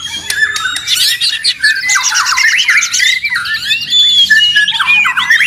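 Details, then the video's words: Very noisy White-rumped shama song meant to provoke a reply: crowded, high twittering phrases, quick down-slurred whistles and rattling notes piled together, continuous and loud from start to finish. "Murai ribut Sangat berisik. dijamin nyaut bongkar materi."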